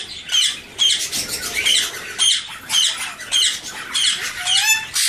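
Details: Alexandrine parakeet chicks: harsh, raspy squawks repeated in quick bursts, nearly two per second, with broad noisy energy and a thin rising whistle near the end, heard close up in a small room.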